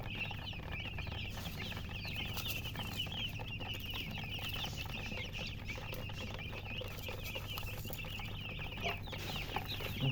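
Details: Newborn chicks chirp loudly, a long unbroken chorus of high, quick, slurred peeps from many birds, over a low droning hum with occasional tapping.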